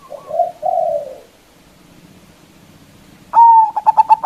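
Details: Zebra dove used as a lure for rival doves: a low purring falling coo fades out, a pause, then a loud long whistle breaking into rapid clipped notes.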